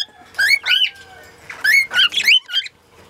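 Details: Lutino cockatiel singing: two bursts of bright warbled whistles with rising and falling notes, each lasting about a second, separated by a brief gap, with faint low background hum.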